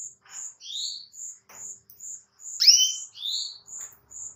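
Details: Female Atlantic canary calling to provoke males into singing: a steady series of high thin notes about every half second, with several louder rising, swooping whistles in between, in a quiet setting.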